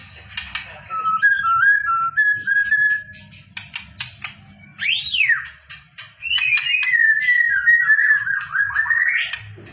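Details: White-rumped shama song used for contest training: clear whistled phrases, a looping rising-falling sweep, sharp ticking notes, then a long wavering whistle sliding downward and rising at the end, over faint low background hum.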